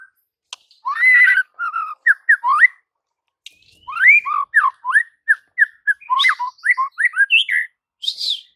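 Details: White-rumped shama training song aimed at birds that do not sing: clear whistled notes, many short rising slurs, delivered in quick uneven series with brief gaps between bursts.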